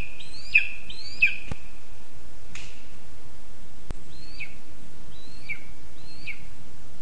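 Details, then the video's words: Lesser spotted eagle chick begging for food at a spruce nest in Zemgale, Latvia, 20 August 2024: shrill whistled calls in two bursts, separated by a pause with a few sharp clicks and a knock. "ПТАШЕНЯ ВИМАГАЄ ЇЖУ. ПІДОРЛИК МАЛИЙ."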